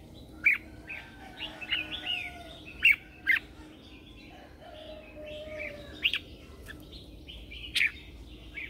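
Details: Morning song of a red-whiskered bulbul used as a lure to call wild birds: scattered bright chirps and short warbled phrases, some sharp and loud, with softer notes between them and a low steady hum beneath.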